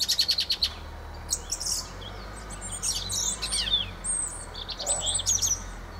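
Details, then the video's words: A fieldfare's chattering song, beginning with a quick run of five clipped ticking notes, then harsh squeaky twitters and high slurred whistles in loose bursts over a low steady hum. "Fenyőrigó ( Turdus pilaris ) éneke."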